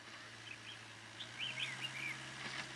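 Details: Red-whiskered bulbul at Chùa Hương on a cold windy day, 9 December 2017, singing a fighting song with a caged decoy bird during trapping; a few short warbled phrases near the end, steady low hum and faint background noise.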